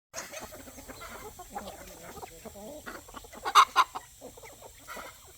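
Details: Roosters, hens and chicks on a country poultry farm at evening feeding time; a busy mix of short, overlapping clucks and murmurs, with two louder sharp squawks near the middle and light scratching noises.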